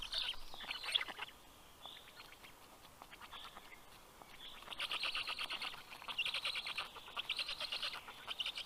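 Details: Black stork chicks at a nest in Karula National Park, southern Estonia, greeting the adult male arriving with fish at 11 am in June: bursts of rapid, raspy, hissing chatter with clicking pulses, pausing midway, then resuming louder.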